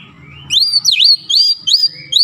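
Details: Kacer (Oriental magpie-robin) lure song: after a faint thin whistle, loud, clear whistled notes that dip and rise, spaced about every half second, bright and ringing.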